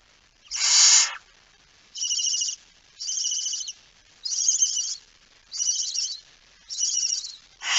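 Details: Barn owl with a mouse in Friesland, Netherlands, September 2019: one loud raspy hiss, then a run of shorter, higher, buzzy twittering bursts repeated about every second.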